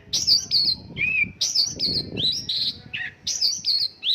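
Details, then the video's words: Short burst of Mongolian lark song, 'isian lokalan' style: bright high chirps alternating with lower descending slurs in quick phrases, over a faint low rumble. "Mongolian lark isian lokalan"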